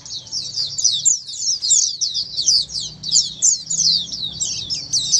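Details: A group of Oriental white-eyes singing as one, played to set off singing in white-eyes that have gone quiet: sharp, very high twitters and short downslurred chirps run together without pause over a weak background hum.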